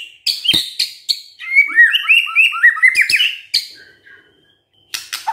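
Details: White-rumped shama in full song, meant to get a silent shama singing: loud clicks and chips around a rich, rapid warbled phrase of slurred whistles, trailing off before a few final sharp notes.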